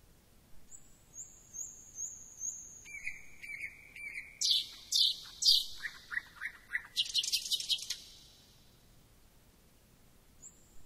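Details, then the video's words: Thrush nightingale: repeated high whistles, a lower sustained whistle, loud broadband chacks, a quick lower trill, and a dense rattling burst before quiet. "Luscinia luscinia"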